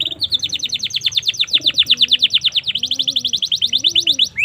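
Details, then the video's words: Canary song used as tutor material for young canaries: a steady, rapid trill of high, sharply descending notes, about six per second, with a short shift in tone midway; soft low cooing underneath. "suara burung kenari"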